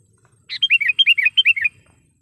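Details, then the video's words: Sooty-headed bulbul lure call, used to attract wild bulbuls for trapping and as a tutor recording for young birds: a quick run of about eight bright, downslurred chattering notes in under a second and a half, over a quiet background. "suara BURUNG KUTILANG PIKAT gacor / pikat kutilang gacor dengan suara panggilan kutilang gacor"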